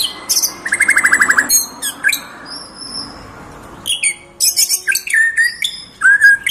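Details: Tame white-rumped shama singing a varied song: high sharp whistles and chips, a rapid buzzy trill of repeated notes lasting about a second, a pause with a thin steady whistle, then bursts of scratchy notes and slurred whistles.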